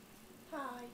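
A white-bellied caique gives one short, voice-like "haai" that drops slightly in pitch, after a moment of quiet indoor room sound.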